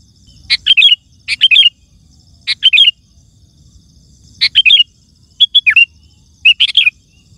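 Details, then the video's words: Sooty-headed bulbul giving its lively song to lure wild birds: six short bubbly whistled phrases, each opened by a sharp chip, some ending in downward slurs, spaced about one second apart. "Suara Burung Kutilang Gacor❗ Lantang Bikin Gacor Kutilang Lain"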